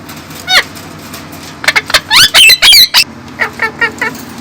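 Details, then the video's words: Female pet parrot chattering to herself at a mirror while dancing: a fast cluster of loud, bending squawks and whistles mid-clip, then softer evenly spaced chirps repeated about four times, with a constant low background hum. "Parrot dancing and talking to itself in the mirror"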